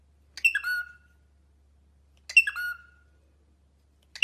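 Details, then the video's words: Pet cockatiel uttering two raspy calls ending in a downward whistle, roughly two seconds apart, with a soft low hum in the background. "cockatiel bird singing and talking"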